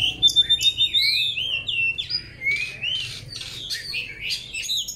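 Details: White-rumped shama singing during training: varied high whistled notes, rising slurs and harsh chattering bursts in quick succession, over a steady low rumbling background noise.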